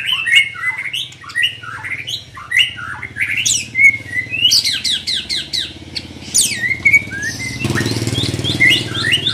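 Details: Lively song from a young white-rumped shama under training: rapid varied whistles, chips, and sweeping slurs over nine seconds, loud and continuous, with a low background rumble in the later part.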